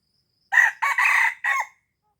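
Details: Crow of a red junglefowl from Aceh, used as a lure for wild birds. Four quick segments: a strong opening, two sustained hoarse notes, and a closing syllable that falls in pitch. The setting is quiet and clean.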